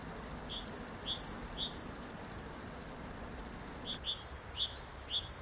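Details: Great tit song in two bursts of repeated two-part phrases, high and whistled, each burst holding about five quick repetitions and separated by a short pause, over faint background hiss.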